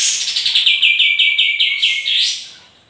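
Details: Energetic sooty-headed bulbul phrase: a rapid string of about twelve bright chirps slides gradually lower, then closes with a loud rising upward sweep and fades out.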